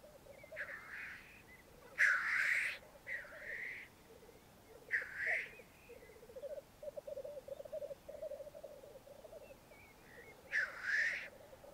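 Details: Black grouse at a bog lek in Mykland, May 2022, at morning with twelve males and two females: rhythmic bubbling rookoo runs beneath five loud, rasping hissing sneezes spread across the recording.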